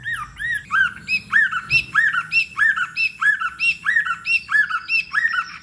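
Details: Loud, rhythmic run of arched, squawky notes with bright overtones, each repeated roughly twice a second, from a white-rumped shama stirred into competitive singing; low indoor-like hum underneath.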